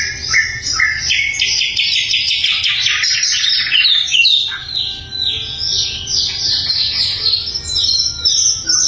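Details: Clear, loud song of a sikatan londo flycatcher used for tutoring magpie-robins and other cage songbirds: a long run of fast, varied high chirps and twittering notes rising and falling, barely pausing.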